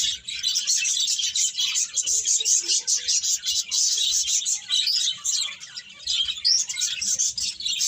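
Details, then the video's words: A flock of birds chirps busily, many high twittering notes crowding together in a steady stream that barely dips, over a faint low hum. "Cute Birds Chirping Sounds"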